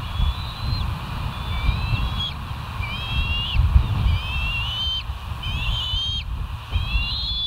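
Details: West End bald eagles on a live nest cam at 07:12, 09/06/2023: scattered thin, high whistles, some doubled and slightly falling, half-buried in strong low wind-like rumble and a steady hum.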